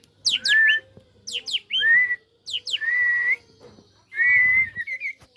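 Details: Tame white-rumped shama, said to be ready to fight when it meets another bird, sings loud clear whistles, each opening with quick downward-sweeping notes and then holding a steady or slightly rising tone, four phrases with short pauses between them.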